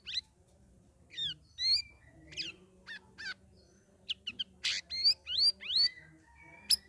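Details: Trained caged sooty-headed bulbul, week three of ombyokan, in ngeriwik ngeplong song: lively sequence of sharp chirps, curling whistles and rising slurs, closing with a rapid cluster of bright upswept notes.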